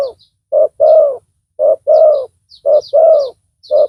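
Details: Spotted dove kept as a loud decoy to lure rival doves: deep paired coos, brief note then a longer swelling one, repeating steadily under light high twittering from other small birds.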